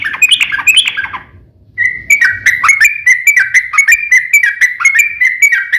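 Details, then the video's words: Yellow-vented bulbul in fighting song with a long rolling trill, used to goad other birds into answering: a burst of jumbled warbled notes, a brief gap, then a fast run of repeated slurred whistles, several per second. "KICAU SUARA trucukan gacor TARUNG ROPEL PANJANG"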